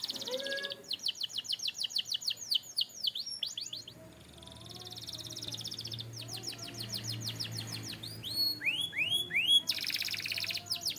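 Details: Training song of a canary: long sequences of quick, sweeping whistled notes and rattling trills, varied in pitch, with a softer warbling middle passage and loud buzzy bursts toward the end.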